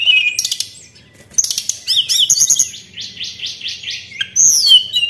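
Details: White-browed shortwing song played as a lure, with a rich, varied run of high whistles, rapid chattering trills and a series of five descending slurred notes, followed by sweeping high whistles.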